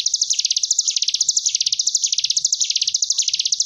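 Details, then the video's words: Sunda bush warbler in a training recording, giving a high, buzzy, wasp-like drilling trill of rapid pulses, about ten a second, swelling and dipping in waves with brief pauses. "Cigun Ngebren Gelombang Tawon Jeda"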